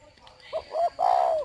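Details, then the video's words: Caged spotted dove kept as a decoy bird in Ba Vì, Hanoi, Vietnam: two short soft coos followed by a longer drawn-out coo, low and mellow, with a man speaking around it. "CHIM CU MỒI CỦA THAO CU GÁY"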